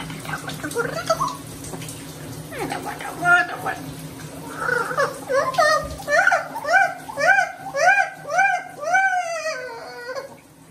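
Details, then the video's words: Pet Amazon parrot crying indoors because it does not want to be bathed: rough calls at first, then a run of arched, nasal, wailing notes repeated about every half second, with people talking and room hum. "Loro llorando porque no quiere bañarse"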